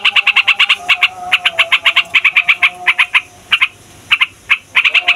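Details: Yellow-vented bulbul, a noisy fighter bird, giving a long rolling song used to provoke other songbirds and lure wild bulbuls: rapid bright chattering notes in quick bursts, with short pauses in between and faint tones underneath.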